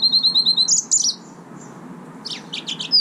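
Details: Song of a yellow-fronted canary: a quick series of high, clear repeated whistles, then rolling warbled notes, a short pause and a further burst of twittering trills.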